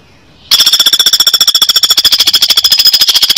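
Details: Woodpecker in an original training recording for songbirds: after a brief near-silence, a fast, harsh rattle of high, ringing pulses, about ten per second, runs steadily to the end.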